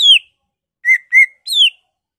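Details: Greater green leafbird singing emotionally with mimicked fill-ins of other birds; four pure whistles, the first and last sliding downward, the middle two level.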